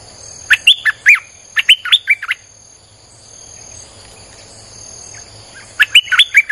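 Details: Song of a Streak-eared bulbul, used to lure wild birds: bouncy phrases of fast, liquid chirps given in quick bursts with a brief quiet gap, then another bubbly phrase starting. A faint constant high whine is present.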